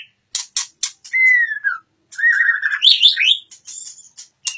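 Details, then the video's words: Oriental magpie-robin singing: sharp clicking notes, then a clear whistled slide falling near the end, a burst of varied warbled phrases, and scattered ticks. "murai batu matep tenen"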